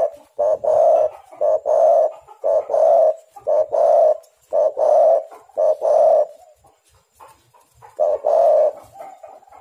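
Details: Spotted dove cooing, offered as a lure to prompt other doves to call; low, hollow coos in steady rhythmic bursts for about six seconds, then a pause and one further burst of cooing.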